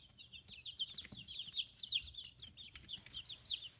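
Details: Fifteen-day-old free-range chicks, feathers starting to grow, raised on a small farm in Kitahiroshima, Hiroshima, Japan; a busy stream of high, short, bouncing peeps overlapping steadily throughout, with faint low rumbling underneath.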